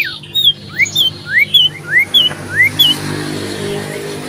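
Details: Common iora in loud, persistent song while seeking a rival, 27 December 2022; clear slurred whistles alternating rising and falling notes, about two per second, then fading, with a low background hum.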